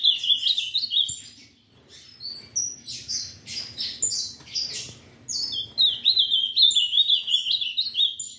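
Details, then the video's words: Ultramarine grosbeak, a breeder's bird, delivering bursts of sweet warbled whistles in phrases of one to two seconds separated by short gaps, with sharp high chirps from other birds between the phrases. "Azulao Coringa"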